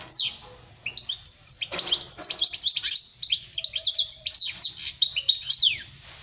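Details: A goldfinch sings as a model for young birds: an opening high downward whistle, then a long stream of quick, sharp twitters and slurred notes in close succession, ending with a soft fade.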